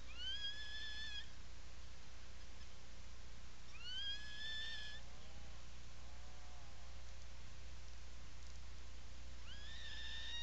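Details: Atlantic puffin in its nesting burrow at the Seal Island National Wildlife Refuge breeding colony, Maine, on the afternoon of 17 July 2018: three rising, squealing calls about a second long, spaced several seconds apart, softer lower chirps between, over steady low hum.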